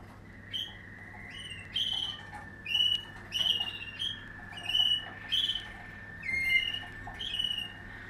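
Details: Waterslager canary from a 2020 line: a steady, low, held tone runs under clear, bright whistled phrases repeated about every second.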